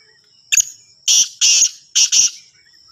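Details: Black francolin (kala teetar) calling in the evening near Sargodha: one short harsh note followed by three longer, grating, buzzy bursts within about two seconds, over a steady high insect-like whine.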